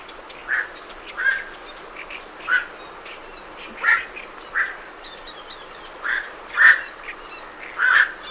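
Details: Black-crowned night herons (Nycticorax nycticorax) leaving their roost give hoarse, irregular, fairly low croaking flight calls about every second, with great reed warblers chattering faintly in the background.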